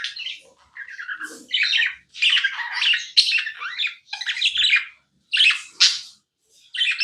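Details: Nonstop squawky chatter of a pet budgerigar: loud, rasping chirps in rapid bursts about every half second, some notes sliding up or down, with brief silent breaks.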